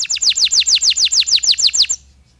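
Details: Canary singing a long song with pauses to stimulate other canaries: about a dozen loud descending whistled notes in even rhythm, then abrupt silence.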